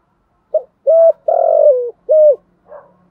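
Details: Caged decoy spotted dove calling to lure and provoke wild males: a soft short note, a clear coo, a longer rolling coo sliding downward, another clear coo, and a faint closing note, with a low steady hum underneath.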